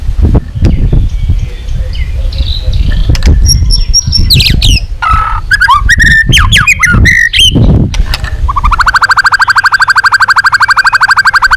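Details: Long-song training of a White-rumped shama to provoke other shamas; scattered clicks and whistled slurs with harsh notes, low thumping noise underneath, ending in a steady buzzy rattling tone from about nine seconds.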